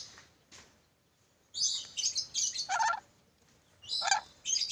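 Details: Black-capped lory calling with shrill, scratchy squawks in two uneven bursts separated by a quiet gap, some notes dropping lower and harsher.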